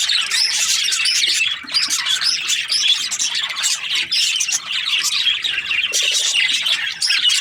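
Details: Budgerigars chattering: bursts of squeaky chirps and warbled notes from several birds, briefly dipping quieter near the second and a half mark before resuming.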